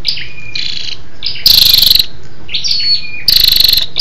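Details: Calling female scarlet-backed flowerpecker, meant to excite males: short high tinkling notes, then two loud rasping, rapidly pulsed bursts about two seconds apart.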